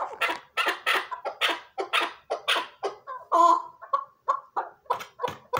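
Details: Chukar partridge clucking in a rapid series of harsh chuck notes, with one longer, tonal note at about the midpoint before the rhythm picks up again.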